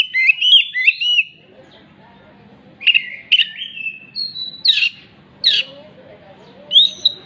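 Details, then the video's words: Oriental magpie-robin singing a hen-clucking imitation: quick sliding whistled notes, a pause, then short harsh clucks and a closing whistle. "kacer gacor isian ayam betina yang habis bertelur..betok betok"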